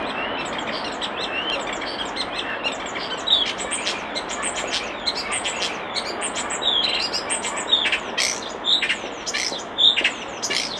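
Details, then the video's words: Near a nest box, a common starling delivers a busy, varied song of clicks, chatters and brief whistled notes that grows louder and denser toward the end, against constant background hiss. "Common Starling Bird Song and Call By Nest Box"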